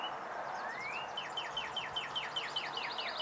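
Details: Male Northern Cardinal singing, Onslow County, North Carolina, 4 April 2015: one long rising whistle, then about ten quick downslurred chew notes at a steady pace, over soft hiss. Blue-gray Gnatcatcher and Chipping Sparrow call faintly behind.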